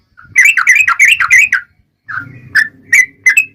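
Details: Fighting-style song of a yellow-vented bulbul used as a lure for other bulbuls: a fast tumbling run of warbled chirps for over a second, a pause, then several spaced whistled notes over a low hum.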